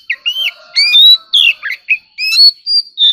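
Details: White-rumped shama in competitive song, delivering varied rich whistles that rise, fall and twist in quick succession, over faint steady lower humming tones.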